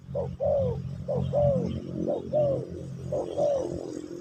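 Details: Spotted dove singing in the pesom or kacuk style during a teaching session for a new bird: soft paired coos, a short note then a longer downslurred one, repeated about once a second over a steady low hum.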